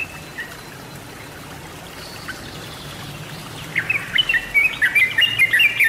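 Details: Lure or training recording of a Sooty-headed Bulbul (Pycnonotus aurigaster) singing: after a few seconds of steady hiss, quick, bubbly, chirping notes, several per second, over continuing background noise.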